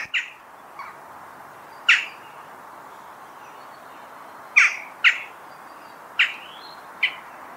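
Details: Western jackdaw giving short, sharp, harsh 'chack' calls at uneven intervals, six notes in under eight seconds, some in quick pairs, over a steady low background hiss with faint distant bird notes.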